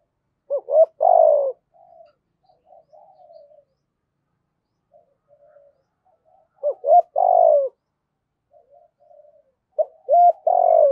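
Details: Spotted dove used as a decoy to draw in wild doves, voice style 'giọng thổ': three repeated mellow coo phrases several seconds apart, each short notes around a drawn-out falling coo, with faint murmurs between.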